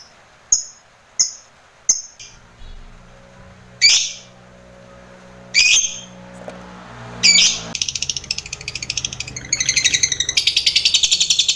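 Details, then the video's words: Master-recording lovebird for training others: short high squeaks spaced under a second apart, a few louder harsh squawks, then a long rapid chattering trill to the end. "Masteran* lovbrid GACOR ngekek panjang"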